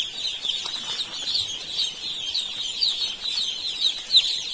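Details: Many baby chicks on an Indian poultry farm give a dense, continuous chorus of high, thin peeps, overlapping and sliding downward, with no pauses between callers.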